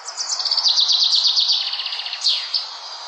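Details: Small songbird singing outdoors: a rapid series of high, bright chirps repeated quickly for about two seconds, then a sharp descending whistled note and a brief final chirp, over soft steady background hiss.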